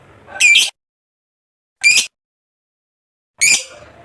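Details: Lovebird kept as a contest fighter bird, giving three short, sharp, squeaky calls spaced more than a second apart, with silence between them.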